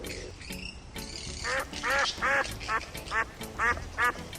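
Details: Egyptian goose calling in a run of short, hoarse, nasal honks, about seven in quick succession at slightly uneven intervals over roughly three seconds, over faint background music.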